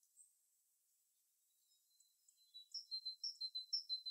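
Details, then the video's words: Birds in their natural habitat: a single high note, a pause with faint calls, then a quickening string of bright two-part chirps building in loudness. "Tranquil Bird Sounds"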